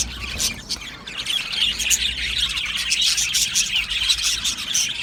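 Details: A chattering crowd of Australian budgies in an aviary keeps up a steady high twitter of squeaks and trills. The chatter grows slightly louder after the first second.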